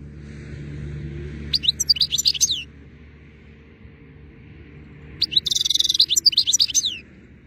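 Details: In pleasant weather, a European goldfinch sings two twittering phrases of sharp, high, slurred notes with a buzzy trill in the second, over a low hum that is louder at the start.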